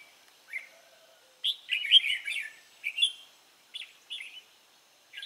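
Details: Wild-caught red-whiskered bulbul, 23 April 2017, giving a loud rich warbled phrase of tumbling whistles, then shorter clipped chirps after brief gaps, in an otherwise quiet setting.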